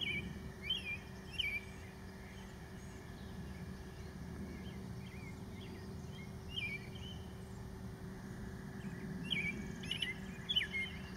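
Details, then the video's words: American robin with leucism, singing faint, scattered whistled phrases that rise and drop, grouped in short runs with gaps, over a constant low hum and outdoor background noise. "Rare LEUCISTIC American Robin Singing"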